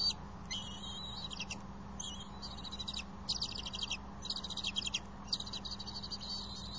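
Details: Ten-week-old bald eagle eaglets perched on branches beside the nest in Johnson City, May 27, 2020, interacting together. High, thin chittering notes come in quick bursts of short pulses, with a faint low hum underneath.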